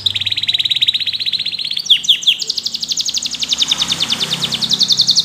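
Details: A long, steady high trill from a yellow canary, broken midway by a few sharp chipped notes. The trill then resumes, rapid and even, to the end.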